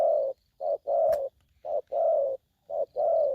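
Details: ['Spotted dove in an aggressive mood, giving rapid repeated low cooing notes around a second apart, alternating short and longer hoarse coos, with a faint high tone in the background.']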